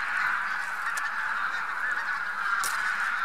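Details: Bean Geese and some White-fronted Geese in a large spring flock in Central Poland, March 2018: a loud, even chorus of overlapping nasal honks, broken by two brief sharp clicks.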